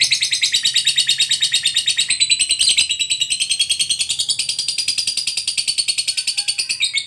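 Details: Competition fighter lovebird in active singing form, delivering the long ngekek trill: a continuous rapid buzzy chatter of pulses, roughly eight per second, steady and high-pitched for the whole stretch, with a brief harsher burst near the middle.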